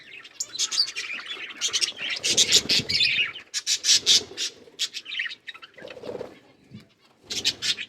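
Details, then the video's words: Budgerigars chirping while they eat green food: dense bursts of sharp, high chatter and clicks, pausing briefly between rapid runs. "Budgies parrot eating green food birds chirping sounds"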